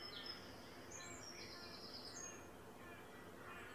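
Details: Eleven small Mallard ducklings with four adults (three males, one female) give thin, high peeping notes in a few short bursts over steady, low outdoor noise; about 9:55am on an overcast morning, 12 April 2024, where Mallards breed yearly.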